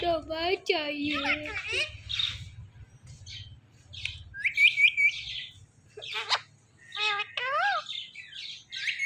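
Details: Talking parrot in a home setting producing varied vocal sounds, wavering harmonic voice-like phrases, short whistles and clicks, with a steady low hum underneath.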